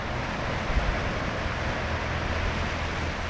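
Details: Steady low vehicle or aircraft rumble fills the background, with no animal voice heard.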